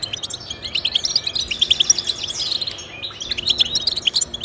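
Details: European goldfinch song aimed at motivating pet goldfinches: quick, sweet tinkling notes and short buzzy trills running together in a bubbly stream.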